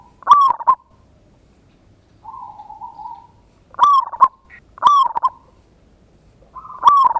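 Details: Local Indonesian zebra dove giving its ngayer kerot nutut lure song: loud stuttering coo bursts alternate with a softer buzzing roll, several phrases in quick succession in a quiet setting.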